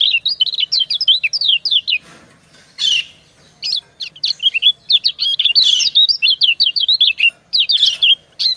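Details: Female white-eye calling to a male as they answer each other; long bursts of rapid, high twittering slurs broken by short pauses and a few buzzy chirps.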